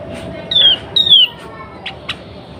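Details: Sooty-headed bulbul female in breeding condition, used to get males singing; two loud whistled notes, each sliding downward, followed by two faint short chirps.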